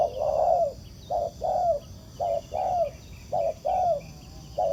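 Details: Spotted dove, a wild bird answering a decoy at a ground trap, gives mellow low coos grouped as a brief note followed by a drawn-out downward-sliding note, the pairs coming roughly every second with a thin background hiss.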